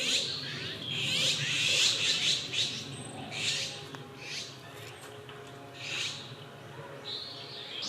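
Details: Male Japanese sparrowhawk in park woodland on 10 May 2021, calling the female after bringing in prey while she stays away. A burst of harsh, high, sweeping notes opens, then fainter separate calls at irregular gaps.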